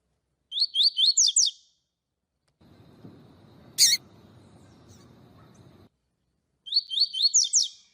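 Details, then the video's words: Double-collared seedeater singing the tui tui song style, played to warm up other seedeaters and as a master song for tutoring them: two bright, high, rapid phrases of rising slurred notes, separated by a stretch of low hiss and a sharp click. "COLEIRO TUI TUI PARA ESQUENTAR COLEIRO, MELHOR TUI TUI PARA MESTRE PAPA CAPIM"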